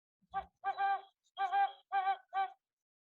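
Great Horned Owl giving a soft, deep hooting phrase of five notes: a short hoo, a doubled hoo-hoo, then three even hoots.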